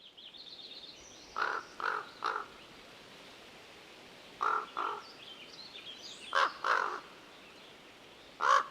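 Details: A Common Raven in Tahoe National Forest at Yuba Pass, Sierra, California, gives harsh, hollow knocking calls in short clusters of two or three, a few seconds apart, among croaks and chuckles, against quiet forest background.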